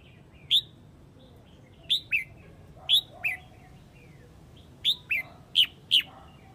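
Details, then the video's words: Huế red-whiskered bulbul calling the flock with sharp, clear whistled notes in pairs and singles, spaced by pauses of one to two seconds, a low steady hum beneath. "Chào mào Huế gọi bầy"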